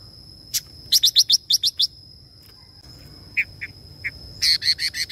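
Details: A female red-billed leiothrix, singing in a way said to stimulate males, gives bright, high chirps in quick bursts of about six notes, then scattered single notes and a final rapid run, over a steady high whine.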